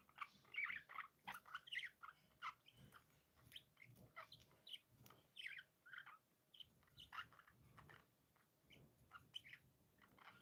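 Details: Happy, playful pet budgerigars chirping: a steady stream of short, bright, scratchy chirps and warbled notes, overlapping and repeated several times a second without pause.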